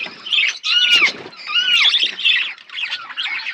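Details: Budgerigars feeding in a flock give arched, warbled squawks in bursts about every half second, with overlapping scratchy chatter between them.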